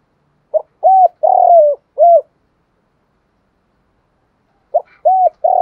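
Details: Spotted dove call used as a lure to provoke wild doves into fighting: a short note, two ringing coos and a long sinking coo, repeated after a few seconds' silence.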